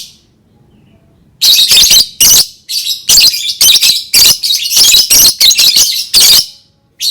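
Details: Calling lovebird, played so that other lovebirds join in: after a second of quiet, a dense, nearly continuous stream of shrill, buzzy chattering squawks with brief gaps between bursts.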